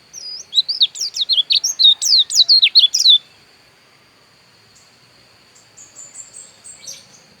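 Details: Pleci dakun, the Javan white-eye, recorded in Pupuan, Bali, pours out three seconds of rapid, high, sweeping whistled notes, then falls quiet apart from faint distant high chirps.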